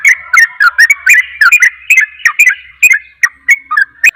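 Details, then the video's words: Sooty-headed bulbul in a fast provoking song: dense run of bubbly, slightly rising and falling chirps, about four each second, overlapping a steady ringing tone, with no break throughout. "Trucukan ropel, trucukan lain akan emosi dengar suara trucukan ini"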